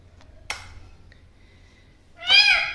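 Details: An angry pet green parrot gives a loud, harsh, slightly falling squawk of about half a second, after a soft click and a faint thin whistle indoors.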